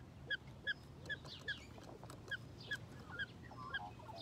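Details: A rainbow lorikeet (Trichoglossus moluccanus) at Fort Wayne Children's Zoo, filmed close up, gives about nine short, sharp chirping notes roughly every half second over a low background hum.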